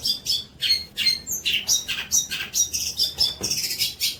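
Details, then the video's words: Tutor material of long-tailed shrike song for training young birds: a rapid run of harsh squawks and chirps, several each second, with a few clearer whistled notes mixed in. "INI BARU MATERI MEWAH BOLO BUAT MASTERAN TROTOL KAMU"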